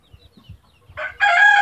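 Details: Chicken belonging to a mother hen and chicks scene: after soft low thumps, a loud harsh crowing call begins abruptly, rich in overtones and held steady until cut off.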